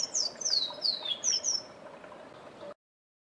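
A Forest Canary gives a quick run of five high, thin notes, each sliding downward, over a faint steady hum.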